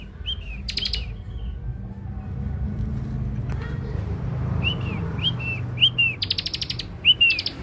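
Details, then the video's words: Young Scarlet-headed flowerpecker used as a lure bird: a few sharp, slurred high notes and a buzzy rattle at the start, a noisy gap, then more arched tsip notes and a longer buzzy rattle near the end. "Ciblek dakun muda pikat mantap"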